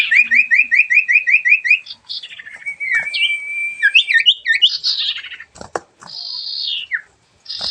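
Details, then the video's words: Sooty-headed bulbul singing hard in 'dor ngentrok' style: a crisp series of rapidly repeated upswept notes, then a level whistle, twittering, a buzzy descending phrase and a few sharp clicks. "burung sirfu gacor dor ngentrok"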